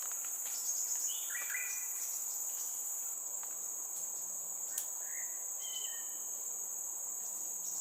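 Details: Just-fledged Crimson Sunbird chick, Singapore, calling regularly so its parents can find it, being fed by its mother. A short cluster of sweet chirps opens, followed by fainter single notes, under continuous shrill insect noise.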